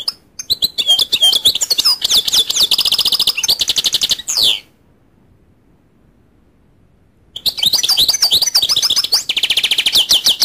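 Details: A goldfinch's rapid, tinkling twittering song: dense runs of high chirps and buzzy trills for about four seconds, a pause of near silence, then another long burst of twittering.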